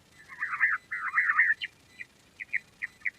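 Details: Quail voice: two rough, warbling chirp phrases, followed by a string of short, clipped chirps repeated about every third of a second.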